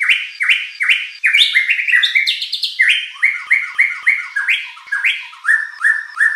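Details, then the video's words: White-rumped shama song: a fast run of loud, clear whistled notes that rise and fall, repeated several times a second, with overlapping phrases and no other sounds. "shama bird beautiful song performance"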